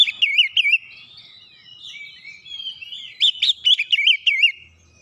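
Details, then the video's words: Rapid song of an Oriental magpie-robin, used to push a reluctant bird to sing: wavy whistled notes in a quick run, a quiet stretch of thin trills, then another fast burst of looping whistles with high ticks. "kicauan cepat merubah Kacer malas bunyi naik emosi bongkar isian"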